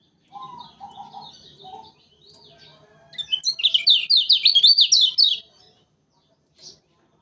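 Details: Loud-voiced lemon-bellied white-eye from Lombok, a contest bird, recorded as a trapping lure: a few lower, husky notes and soft high warbles lead into a quick, piercing zigzag twitter of about two seconds.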